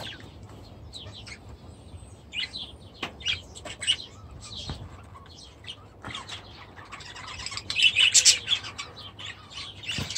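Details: Budgerigars and their new chicks in an aviary, heard as scattered high chirps and scratchy warbles that build into a dense burst of chatter near the end, with wing flutters and a low background hum.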